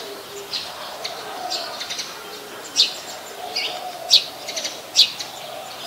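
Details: Brown-throated sunbird (Anthreptes malacensis) in Ubon Ratchathani, Thailand, on 13 January 2021, giving sharp, high chips at an uneven pace, about one a second, over softer twittering and a faint background hum.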